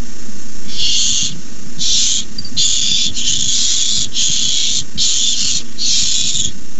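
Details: Nest-cam barn owl begging when a rat arrives, recorded May 29, 2015: six rasping, breathy hiss bursts in quick succession, some nearly running together, with a constant low electrical-sounding hum beneath.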